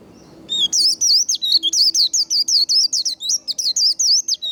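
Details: Vành khuyên, a white-eye, in líu fighting song used for stimulating and training singing: a rapid, unbroken chain of shrill, zigzagging whistled notes, about four seconds long, with a faint hum behind.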